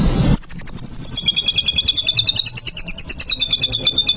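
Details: White-rumped shama singing to provoke a rival into fighting: a long, high, rapid trill of evenly pulsed notes, steady at first, then dipping and wavering slightly for several seconds, with a quiet background.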